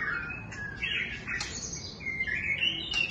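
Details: White-rumped shama singing a varied run of clear whistled phrases, each note held briefly and jumping between high and middle pitches, with short bright upward flourishes and no other clear sounds.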